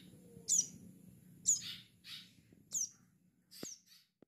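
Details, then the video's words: Bar-winged prinia chick giving sharp, high, down-slurred chirps about once a second over a faint low hum. "Anakan burung ciblek sawah"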